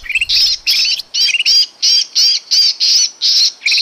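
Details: A Sooty-headed bulbul (kutilang emas) lure recording for attracting birds gives a rapid run of harsh, squawking chatter notes, about two per second, each a bright raspy burst.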